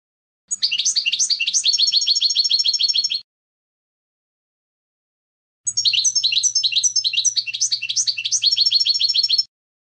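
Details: Canto limpio of a European goldfinch, the clean contest song used to train young goldfinches. Two long bursts of fast, rattling, tinkling twitters are separated by a pause of over two seconds. A faint low hum lies under the second burst.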